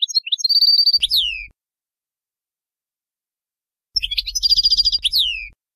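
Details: A European goldfinch sings Bayinam Ghazirat style phrases for tutoring young birds: chirps leading into a steady buzzy trill and falling slurred whistles, repeated after a long pause, with a soft low hum.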